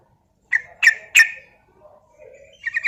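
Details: Javan sooty-headed bulbul, from a lure recording for prompting other bulbuls to sing, utters three loud, sharp chirps in quick succession, then softer notes and a brief closing flourish.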